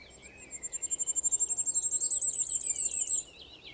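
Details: Spring song of a male firecrest in Portugal: a shrill, needle-thin phrase of quick notes that accelerates and rises before stopping, with blackbird and skylark singing in the background.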